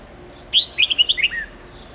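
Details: A red-whiskered bulbul sings a very long training song meant to teach young birds many voices. It opens with one loud note, then gives a rapid string of about seven chirpy whistles stepping down to a falling final slur.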